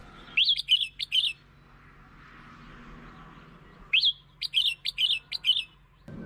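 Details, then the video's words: Red-whiskered bulbul singing to attract and provoke birds: a short phrase of three bright warbled notes, a long quiet gap, then a livelier phrase of five chirps. "เสียง (ยั่ว) นกกรงหัวจุก เสียงนกกรงหัวจุกล่อนก กระตุ้นนกกรงหัวจุก"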